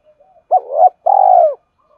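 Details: Spotted dove in the 'hai hậu' call style, used to excite a decoy bird quickly. A faint murmur, then a swelling two-part coo and a long, slightly falling, rolling purred note.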